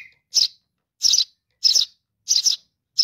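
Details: Young sparrow begging its mother with harsh, rough double-pulsed chirps, spaced about two-thirds of a second apart, preceded by a short thin whistle.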